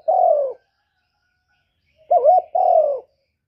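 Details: Cooing of a spotted dove with "kuk 1" style song, played to draw in other doves: a long falling coo, over a second of silence, then a short wavering note and another drawn-out descending coo.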